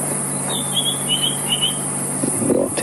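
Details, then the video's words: A White-browed scrub robin sings on a very hot evening on a sunset safari drive in the Djuma and Arathusa area of South Africa: four or five thin, high whistled phrases stepping slightly lower, over a low steady hum and a soft knock. "Now there you can hear a white-browed scrub robin, and that white-browed scrub robin has come here specially."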